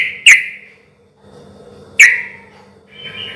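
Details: Sooty-headed bulbul singing loudly in a relaxed rhythm as a lure for other bulbuls: two separate sharp, slurred chirps nearly two seconds apart, then a soft warble, over faint low hum.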